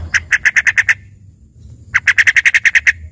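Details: Sooty-headed bulbul in fill-in (isian) song likened to a greater green leafbird: two fast bursts of evenly spaced, sharp staccato notes, about eight per second, separated by a one-second pause, over a low hum.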